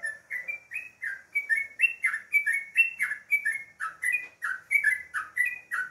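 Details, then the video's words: Sooty-headed bulbul singing in the morning: a rapid string of short, mellow whistled notes, each dipping or rising slightly, delivered in bubbly chattering phrases about three notes per second, clean with no other sounds. "suara burung trucukan"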